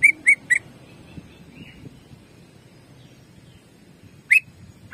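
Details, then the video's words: Greater green leafbird jamtrok song: three quick whistled notes, a faint warble, then two more sharp notes after a pause. "CUCAK IJO GACOR JAMTROK TEMBAKANYA BIKIN PANAS"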